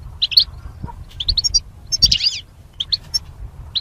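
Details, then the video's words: Caged goldfinch, kept in a mating pair separated by wire, gives sparse high chirps and a short scratchy twittering flurry midway, then a few spaced notes, against quiet low background noise. "Goldfinch Chirping Sounds"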